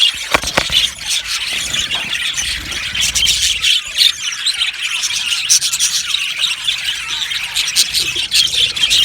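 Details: Budgerigar colony chattering in an aviary, dense overlapping high chirps and warbles from many birds, with a few sharp clicks early and scattered clearer chirps.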